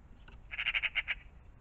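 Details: Magpie by a pond in the morning giving a harsh, dry rattle of about seven rapid chak notes in under a second, over faint low background rumble.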